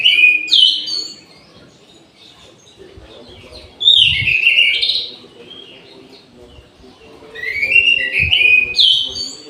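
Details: Caged orange-headed thrush in an aviary at midday, singing three bursts of varied, sweet whistled and warbled phrases roughly every four seconds, with a faint low hum and soft thuds between.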